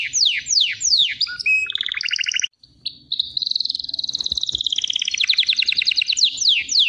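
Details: Canary repeating descending sweeps, then chattering double notes, a brief silence, and a long rolling trill that drifts downward before more swooping notes.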